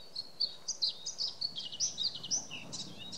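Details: A Bluethroat in the Volga region, April 2017, gives a quick run of high, sharp chirps and scratchy notes, three or four a second and varied in pitch, over faint background hiss.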